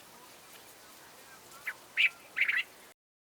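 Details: Cape bulbul from Southern Africa: after quiet background, a short note, a loud slurred whistle and a rapid bubbly phrase of several notes, ending abruptly.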